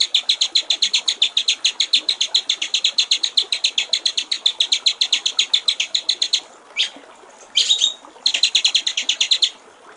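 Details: Tretekan-style song of a white-rumped shama (murai batu) for training songbirds: a long, rapid, machine-like rattle of high clipped notes for over six seconds, a short pause and a squeal, then the rattle resumes.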